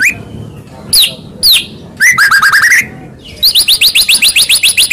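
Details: White-rumped shama of the Medan type singing a fighting lure: a few separate descending whistles, then a quick series of about eight rising notes, a pause, and a rapid train of short high repeated notes.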